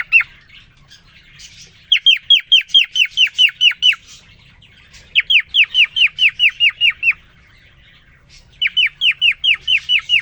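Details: Male cockatiel twittering to the female newly put in with him: three rhythmic bursts of clipped down-slurred whistles, each about eight notes, with short silences between.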